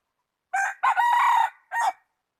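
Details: Rooster crowing, recorded 8 January 2020. A loud, clear crow is broken into segments: a short opening note, a long, even, harmonic middle part and a brief final burst, with near silence around it.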